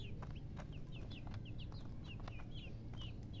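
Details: High, clear single peeps from baby chicks, each note sliding downward, spaced a fraction of a second apart, over a heavy low rumble.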